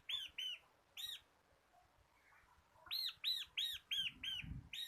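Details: Ngebren-style song of a local bar-winged prinia, kristal kapas type, recorded as a tutor for caged songbirds. Short pairs of sharp arched notes, a pause, then a fast run of six ringing chips over a quiet background.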